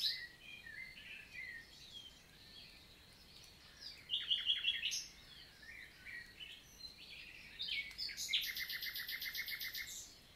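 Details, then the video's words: Wild common nightingale in daytime morning song, Célé valley in the Lot, southern France, 11 June 2023, forest countryside: varied twittering phrases, a quick trill near four seconds, then a loud fast repeated burst of notes, other birds faint. "NIGHTINGALE MORNING SONG"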